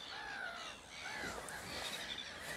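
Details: Jackdaws calling as they leave the roost in a morning murmuration at dawn, recorded on a phone: a busy overlapping chorus of short, sharp calls from many birds over a steady background hiss.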